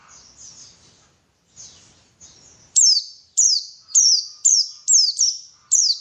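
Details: Lure recording of a white-eye to make birds sing actively: quiet high warbling fragments, then seven loud, sharp, very high chirps, each falling steeply, given roughly every half second.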